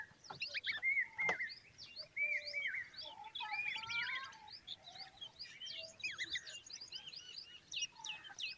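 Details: Common babbler young standing by their mother give a busy, overlapping chatter of sharp high chirps and short whistled notes, near-continuous and irregular, with a few clearer slurred whistles early on.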